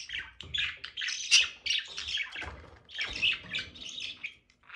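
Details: Mating budgies chatter in rapid, scratchy warbles, overlapping squawky notes rising and falling, with louder peaks around the middle and a short quiet gap near the end.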